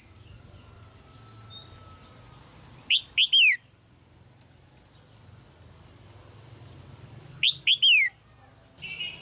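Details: In Thailand a caged female red-whiskered bulbul calls to encourage a young male to sing, giving two clear phrases of three or four quick, bright down-slurred chirps several seconds apart, low hum underneath.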